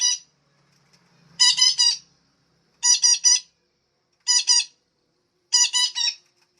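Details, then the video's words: Harsh, grating squawks from a female parakeet, used to rouse caged songbirds into singing. The squawks come in tight triplets roughly every one and a half seconds against otherwise quiet surroundings. "betet betina merangsang burung agar gacor dan rajin bunyi"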